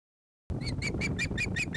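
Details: Young female osprey at a nest in Finland, hungry and calling for food while her father weans her before migration. She gives a rapid, even series of short, high, honking squeals, about five per second, over low rumbling background noise.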